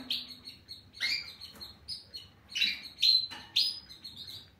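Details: European goldfinch singing in short bursts of bright, tinkling twitters and sharp chirps, about one burst every half second, with brief quiet gaps between them.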